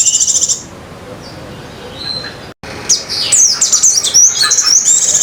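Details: Song of a Sunda minivet in isian pleci ngecir style, mimicking white-eye: a fading high trill, a pause with faint notes, then a lively run of rapid, squeaky, up-and-down twittering.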